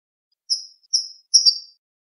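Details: European goldfinch clean song (cante limpio) from a 2020 recording made for teaching captive birds: three high, drawn-out whistled notes, each fading downward, the last one longer and wavering, with brief silences between them.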